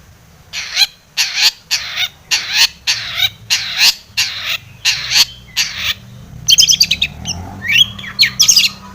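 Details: Long-tailed shrike (pentet) lure sound to provoke singing: nine harsh, rasping buzzy notes repeated about every half second, then a rapid burst of high clicks and chattering, whistled phrases.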